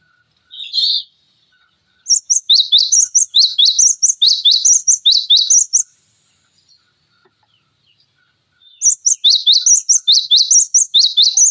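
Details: Cinereous tit song on a tutor recording for training songbirds such as magpie-robins: one opening note, then a long run of rapid, sharp, high two-part phrases for about four seconds, a pause, and another extended burst.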